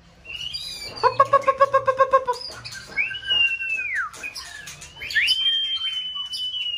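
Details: White-rumped shama contest bird in full breeding-season form, used to spur another bird into varied song: a rapid run of about ten repeated rich notes, then long sliding whistles, one falling steeply and one held high and clear.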